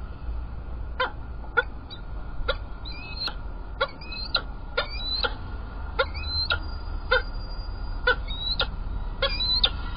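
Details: Peregrine falcons at Illkirch-Graffenstaden, 3 February 2018: sharp, clipped calls with a harmonic ring, given singly at uneven gaps of roughly half a second to a second, over a steady low background rumble.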